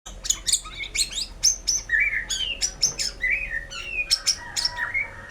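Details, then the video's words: White-rumped shama in full song: a rich, varied run of sharp whistled notes, high ringing phrases and lower slurred whistles, delivered in quick bursts with brief gaps. "suara burung murai batu gacor"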